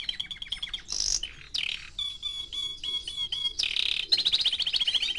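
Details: A four-month-old canary sings a string of clear, evenly repeated whistled notes. Rapid rattling trills and a harsh buzzy burst come between them, and the song closes with a fast rhythmic trill.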